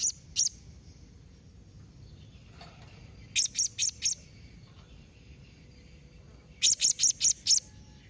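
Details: Blue-crowned hanging parrot giving a 'memanggil nembak mbeset' calling combination meant to make other hanging parrots answer: two thin, very high notes, a pause, then a rapid run of four sharp chirps and a later run of five.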